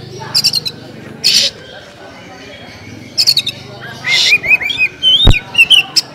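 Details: Oriental magpie-robin (kacer) singing the basic song in the style called LDA, 'Langit Di Atas Awan'. Harsh buzzy bursts alternate with quick, clear, rising and falling whistled notes, with a sharp click partway through.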